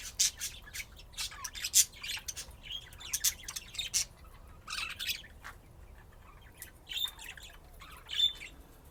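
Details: Budgerigars playing and chirping, pets in Austin, Texas, USA: uneven bursts of scratchy chatter and clicks, followed by a few clearer high chirps toward the end.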